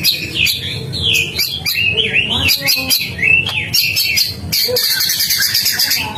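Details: White-rumped shama delivering a rich gacor song, fast varied whistled phrases swooping up and down, interspersed with crisp clicks, turning into a dense high chatter toward the end.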